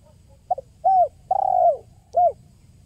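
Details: Lure recording of a spotted dove (tekukur): a single phrase of a faint double note, a short coo, a long vibrating downward coo and a closing short coo, on a quiet background.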